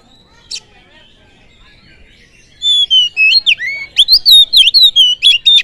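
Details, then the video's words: Oriental magpie-robin lure song to rile other birds: one short note, then three seconds of loud, rhythmic whistled phrases, steady and rapid, each note bending up or down. "Pancingan kacer full durasi || SEKALI PANCING BURUNG ANDA LANGSUNG PANAS"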